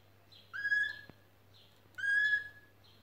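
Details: Canaries building a nest; two identical clear whistled notes about one and a half seconds apart, each sweeping up and then holding steady before fading, with softer short notes between them over a low steady hum.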